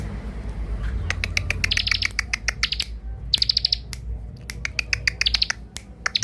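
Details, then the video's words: Young bar-winged prinia (ciblek), a lure bird, sings bursts of sharp high chirps and short trills among many loud dry clicks, over a low background rumble. "Ciblek dakun muda pikat mantap"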